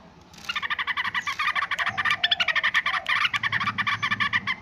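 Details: Noisy yellow-vented bulbul: a fast, dense run of harsh, clipped chirps, closely packed and repeated without pause for several seconds, with a faint low hum beneath.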